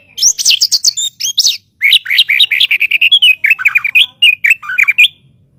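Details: White-rumped shama song used as master audio for training birds: a fast, unbroken run of varied high chirps and whistled notes, sharp and densely packed, shifting in pitch throughout, with no other sounds.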